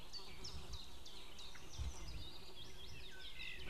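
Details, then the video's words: Female and distant male White-tailed eagle calling on 2 May 2016: a dense run of high, yelping notes, each quickly rising then dropping, repeated steadily throughout over a low rumbling background. "merikotkas FemaleCallsFarMaleOutBothCallOutside"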